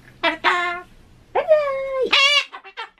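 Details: Ducorps's cockatoo kept as a pet in a home, answering with "hai" and saying "konnichiwa". Two short harsh syllables are followed by a long, level, nasal drawn-out word, then a loud grating burst and small trailing notes.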